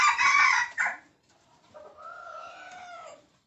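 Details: Red junglefowl crowing: a loud, harsh burst lasting about one second, followed by a fainter, steadier drawn-out tone.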